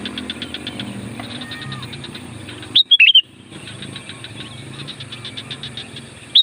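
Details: Sooty-headed bulbul calling to attract wild bulbuls: one loud, sharp, warbled whistled phrase in the middle and the start of another at the end. Fast pulsed chatter and low engine noise run underneath.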